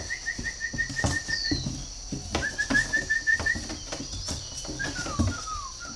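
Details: Pair of young spotted doves, incubator-hatched and hand-fed from small, very tame, kept by a breeder in Ba Vì, Vietnam; short thin peeping notes repeated in quick runs, with background clatter and a steady high hum.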